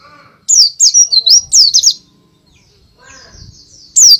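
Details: Loud white-eye song used as a lure for other birds: a burst of quick, high, zigzagging whistled notes, then a quiet gap with faint distant chirping, and a fresh phrase starting at the end.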